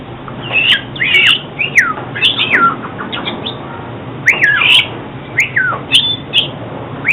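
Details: Song of an oriental magpie-robin, played for bird trapping and daily singing practice: varied, loud whistled phrases with sharply rising and falling slurs and downward sweeping notes, separated by short gaps, over a low steady hum.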